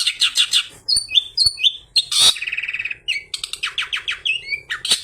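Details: Long-tailed shrike singing mimicked material, including imitations such as a fighting sparrow, meant as a lure for other shrikes: rapid chirps, short downslurred whistles, a harsh burst with fast trill, and more chattering notes.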